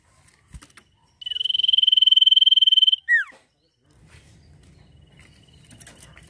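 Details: A sirtu singing actively: a loud, rapid buzzy trill held on one steady high pitch for almost two seconds, then a short sharp downslurred whistle. Faint clicks before it and a low rumbling hum afterwards.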